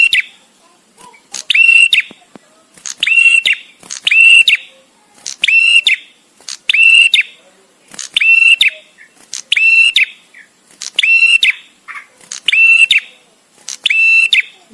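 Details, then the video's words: A visiting male bar-winged prinia sings a long steady series of harsh, buzzy whistled notes, each level then flicking up at the end, repeated about every one and a half seconds with short clean pauses, suited to training other songbirds. "suara prenjak tamu JANTAN!!! dengan jeda cocok untuk masteran"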